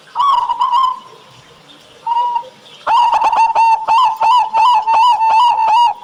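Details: Cooing duel of local zebra doves kept as songbirds, used as a thick-voiced training call for other captive doves; a short wavering coo and a pause, then a steady chain of deep, rolling pulsed notes repeated quickly.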